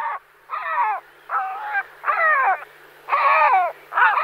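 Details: Great black-backed gull giving loud, hoarse, drawn-out calls with rich harmonics, each lasting about half a second and repeated in a steady run of six, with short gaps between them.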